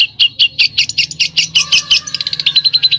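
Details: Besetan song by a songbird: loud, sharp chirps repeated several times a second, growing faster and thinner toward the end into a tight, high rattle.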